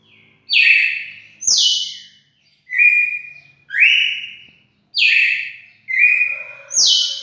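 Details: Red-cowled cardinal singing on 4 February 2020: loud, clear whistled notes, some falling, some flat, others rising sharply, given in a steady series about every second with short gaps, in an otherwise quiet setting.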